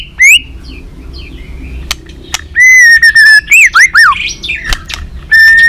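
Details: White-rumped shama singing continuously in competition, flicking its tail: a single upswept note, a quiet stretch, then a long steady whistle, looping wavering notes, and a final held whistle.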